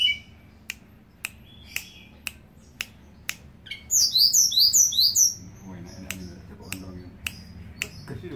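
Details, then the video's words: Blue flycatcher in vigorous song: one quick burst of about six high, squeaky, down-slurred notes, amid sharp dry ticks repeated roughly twice a second and a low background murmur. "BURUNG TELEDE'AN GUNUNG GACOR FUUL"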